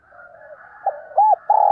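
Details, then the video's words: Decoy spotted dove calling and urging to excite wild doves: soft low murmuring notes build into a short hoot, a rounded arched coo, then a loud sustained burry coo. "Tiếng Chim Cu Mồi Gáy Thúc và Gáy Gọi Dùng Kích Bổi Mỗi Ngày"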